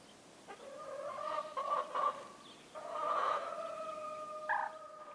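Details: Domestic rooster on a farm in the Massif central in winter, heard at a distance: quiet, drawn-out harmonic crowing phrases with wavering starts and steady held tones, over a soft background hiss.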